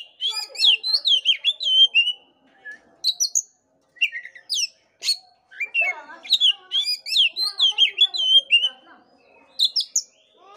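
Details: Caged Oriental magpie-robin song used to rouse a sluggish bird into singing: rapid run of sweet whistles, chirps and steep high flicks in dense bursts, separated by short silences, lasting about ten seconds.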